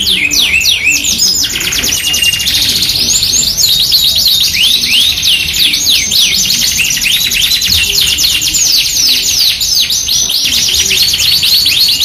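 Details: Yorkshire canary song, a FOI21 bird mixed with an AF canary, used as a masteran training lure for other canaries: dense, rapid high trills and rising and falling whistled sweeps, continuous over steady broadband hiss.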